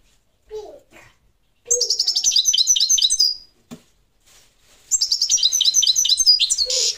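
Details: Parva goldfinch song in two bursts of rapid, high, liquid twittering, each about one and a half seconds long, with a few low whistled notes between them.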